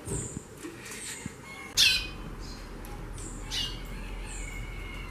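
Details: Female white-bellied seedeater calling a lot: one loud, harsh, broadband chip near the middle, fainter chips around it, and a thin high note repeated in the background.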